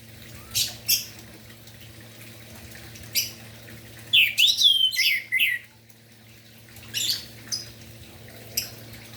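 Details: An orange-headed thrush sings in the morning to lure sluggish birds into song: scattered sharp high ticks, then one dense phrase of rising and falling whistles and buzzy notes, then more isolated ticks over a soft hum.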